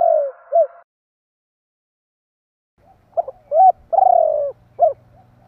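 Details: Spotted dove calling to provoke other doves: end of one phrase, a silent gap, then a full phrase of stuttered notes, a rounded coo, a long falling coo and a short coo.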